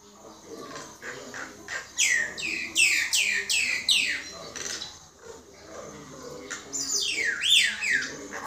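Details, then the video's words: Common myna: a series of strong, steeply falling whistled sweeps repeated about every half second, followed by softer chatter and then a rising-and-falling warbled phrase near the end. "Chim Sáo Nâu"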